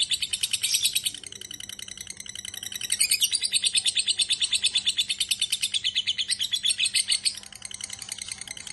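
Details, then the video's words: Lovebird ngekek chatter, an unbroken rattle of high, scratchy pulses that swells in loudness after a few seconds and eases off at the end, with a soft hum behind. "Lovebird BIOLA ngekek panjang SIANG MALAM"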